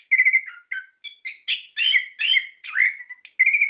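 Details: Orange-headed thrush in ngerol song, played to provoke other kept birds to reply: steady, mellow whistles and fuller warbling notes flowing together with only tiny breaks.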